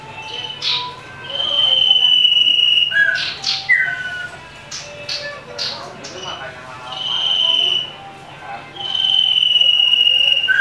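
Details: Common iora singing aggressively while fighting, a lure to provoke rivals: long level whistles broken by quick sharp chips and short down-slurred notes, then two more drawn-out whistles.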